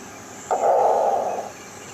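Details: Quiz playback of a green heron, hinted as a shorebird or waterbird and compared by a listener to a dog: one abrupt, coarse squawk held for about a second, starting sharply and tapering off, against low background hiss.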